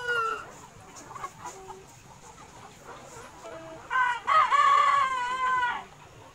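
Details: Gà Nòi, bantam and crossbred chickens kept free-range in a spacious yard, feeding on greens and fruit. Scattered quiet clucks lead into one loud, sustained, wavering harmonic call near the end, then fade.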